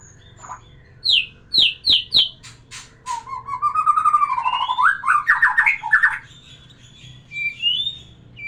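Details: White-rumped shama singing, used to arouse a female for breeding: three sharp descending whistled notes, clicking ticks, then a long warbled run of varied fluty phrases and a final rising whistle.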